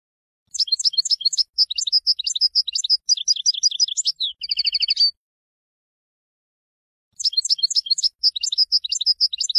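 A European goldfinch sings a fast, high, tinkling twitter broken by a drawn-out nasal buzz, pauses about two seconds, then resumes the bright jumble.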